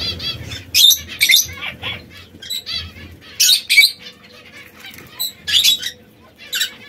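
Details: Three canaries, one red, one yellow and one brown, kept together and occasionally squabbling, give short sharp chirping bursts in clusters about every second, with flutters and wingbeats between them and faint low background noise.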